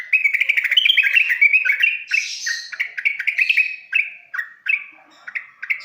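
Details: Yellow-vented bulbul tutor song used to train young, silent birds to start singing: rapid bubbly chattering phrases of short warbled notes, rising and falling, with a brief burst of harsher, noisy chatter midway.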